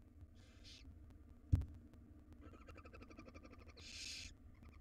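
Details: Wild barn owl chicks in their nest box being fed a jird. A soft hiss, a sharp knock, a run of faint rapid clicking, then a louder rasping begging hiss near the end.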